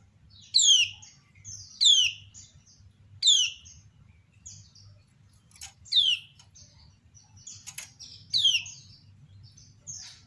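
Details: A female kecial kuning (lemon-bellied white-eye) calls ciak to set other kecial singing: a series of piercing, falling chirps roughly every one to one and a half seconds, answered by quieter thin twitters in the background.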